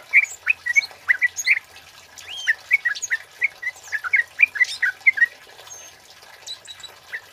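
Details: Singing male flowerpecker with a loud 'cit keres' delivery, recorded for luring and tutoring; a string of sharp, high chirps a few per second, some bending upward, fading out toward the end.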